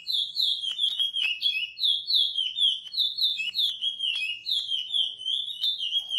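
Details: Chestnut-bellied seed finch known as curió pardo, singing praia-style training song for young birds. Evenly paced, slurred whistles drop in pitch phrase after phrase, with faint clicks between some notes.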